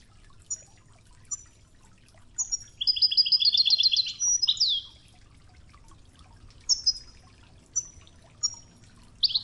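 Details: European goldfinch singing in the Wejdani style, a 'toughza' training recording set to murmuring river water: a few short high chips, then a fast metallic trilled burst of rapid repeated notes, ending in scattered chips over a steady low water hiss.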